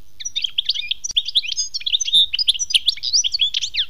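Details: Continuous European goldfinch song in the khmis melyana style: a fast, unbroken stream of bright tinkling and buzzy twittered notes, liquid and varied, with sharp clicks scattered through it.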